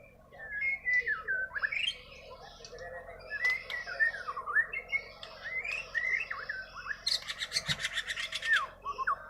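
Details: Untutored Bornean white-rumped shama song from Kalimantan: slurred whistles and wavering phrases over a steady background hiss, with a dense rasping burst near the end.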